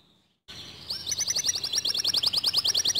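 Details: Canary song said to rouse other canaries to sing. After a quiet start comes an even, fast rolling trill of short high notes that keeps going to the end.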